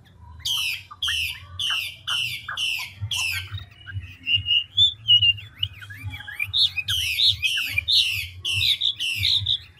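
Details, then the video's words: Large, old wild-caught ngũ trường hwamei changing voices quickly. A series of loud harsh rasps comes about twice a second, then a soft rising whistle and twittering, then another run of raspy bursts mixed with sharp whistles. Low hum in the background. "Họa mi ngũ trường đảo giọng tốc độ"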